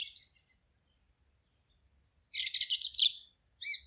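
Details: Forest birds chirping rapidly: high thin notes, a near-silent gap, then a long, dense, buzzy twittering burst and a few sharp closing chirps; faint low hum beneath.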